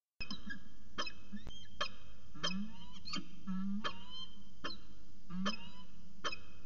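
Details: Peregrine falcons, a pair in an extended afternoon discussion at Charles Sturt University, Orange, 13 January 2019, about 4:19 pm; rasping calls roughly every half second, some with slurred rising tails, over constant low-pitched background noise.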